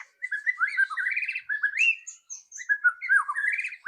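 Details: White-rumped shama, loud rattling song used to prompt another bird into singing quickly: a continuous stream of warbled, twisting whistles with rapid trilled rattles, briefly pausing and then resuming in the same varied pattern.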